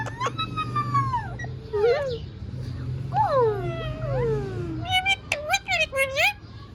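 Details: Talking ringneck parrot forms speech-like phrases from long gliding harmonic notes, some falling and some wavering, then ends with a rapid cluster of sharp clipped syllables; a low rumble runs underneath throughout.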